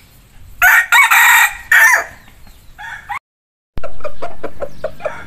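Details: A hybrid junglefowl rooster, a captive-bred Thai fighting-cock cross, gives a loud, hoarse, broken crow, then a quick run of sharp clucks after a brief silence.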